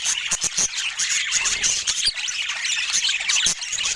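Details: Pet budgerigars chattering together, a dense mix of high squawks, squeaky chirps and warbled notes with sharp clicks scattered throughout.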